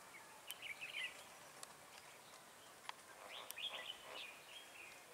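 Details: Red-whiskered bulbul heard at a trapping site with a decoy bird, 30 October 2018, singing to challenge rivals: two bursts of quick chattering warbled notes separated by a quiet gap, with a few sharp clicks and low background noise.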